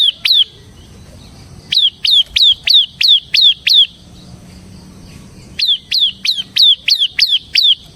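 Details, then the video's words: Bar-winged prinia, the ciblek semi, singing; two brief notes, a pause, then about seven rapid sharp falling chips, another quiet gap, and a further run of about seven. "suara burung CIBLEK SEMI GACOR Ngebren Ampuh untuk Pancingan Ciblek Kristal dan Masteran Ciblek"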